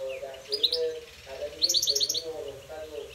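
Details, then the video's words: A goldfinch in a singing contest gives two rapid clusters of quick, high, liquid twittering notes over a steady low murmur of human voices. "gold finch singing fight"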